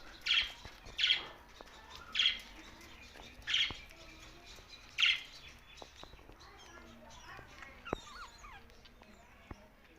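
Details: Pet budgerigars in Larkana, Sindh, give five loud, clipped chirps spaced about a second apart, followed by soft, quieter warbling chatter and a couple of sharp clicks.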